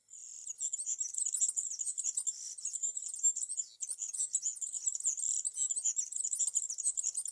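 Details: In a summer tree, a European serin sings a sustained, hurried stream of high, metallic, buzzy tinkling notes, continuing almost seven seconds with only a brief break midway.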